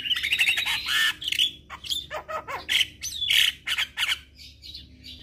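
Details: A Javan myna, in a recording meant to be played mornings and evenings as therapy for stressed mynas, sings a rapid, varied run of harsh squawks, chatters and clear whistled notes, loud and almost without a break, with a faint low hum behind.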